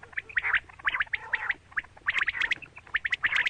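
A female quail gives quick, scratchy chirps in tight clusters, several bursts each second with short pauses between, over a faint background hiss.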